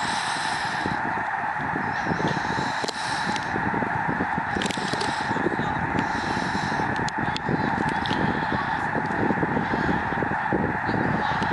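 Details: Canadian Snow Geese, a migrating flock on Lake Springfield in Illinois, recorded from the shore at Lincoln Memorial Garden; a loud, continuous honking din with scattered sharp clicks and knocks.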